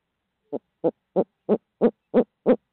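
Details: Midtown Tulsa barred owl calling a quick run of eight hollow hoots, steadily louder, roughly three each second, with no other sounds.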